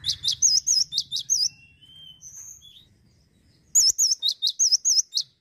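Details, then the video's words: Male cinereous tit, a songbird kept by Indonesian bird-song fans, singing two bursts of high, bright whistled notes, each phrase a quick run of about eight wavering, looping syllables separated by a short pause. "GACOR TANPA PEMANIS BUATAN,GELATIK BATU JANTAN LOSSDOL"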